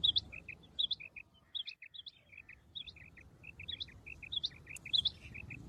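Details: Common quail, locally called batair, giving steady phrases of one sharp high note then two quick lower notes, repeated about once a second, distant over faint low-pitched background noise.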